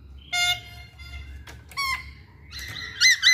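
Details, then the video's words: Caged masked laughingthrush, its song used to provoke other birds to sing, produces harsh nasal squawks with stacked harmonics, separated by short gaps, closing with two sharp upslurred notes. "Burung Poksay Hongkong Gacor"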